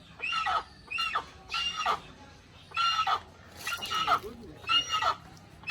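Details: Repeated raucous, cackling squawks from a little hornbill, about one per second, each a rough nasal burst with a slight downward slur, in natural surroundings.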